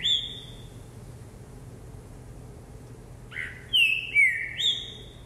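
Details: Green-winged saltator in a cage, hopping on the perch while singing: a lone whistled note, a pause of about three seconds, then a loud phrase of three or four downward-sliding whistles, with a faint hum behind.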